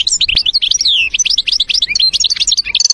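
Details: European goldfinch in the wild in a forest, dense, varied twittering song of tinkling, swooping notes with one falling slur, ending in a quick buzzy trill.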